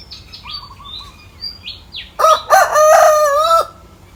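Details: Rooster crowing in the morning from the top of a mango tree: a loud, drawn-out harmonic crow of about a second and a half, rising then held level. Thin whistled notes from small birds come first.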